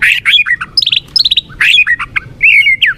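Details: White-rumped shama song used to rouse weak birds into fighting form: rich whistled notes alternate with rapid runs of high, dropping chips, all loud and clear.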